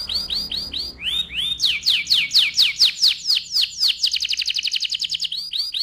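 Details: Canary song, played to excite the male and prepare the female for breeding: fast, loud trilled phrases of repeated bright notes, speeding into a rapid rolling trill near the end, with no other sounds.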